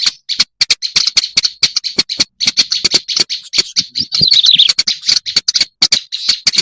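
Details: Black-browed reed warbler lure sound, choppy bursts of harsh scratchy notes separated by short gaps, then a squeaky descending trill after four seconds, with sharp ticking clicks throughout.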